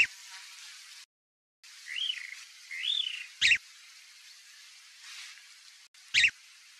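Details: Wild chalk-browed mockingbird giving two arched, slurred whistles followed by loud, abrupt harsh chips spaced about three seconds apart, with a brief silent gap early on and a constant high background hiss.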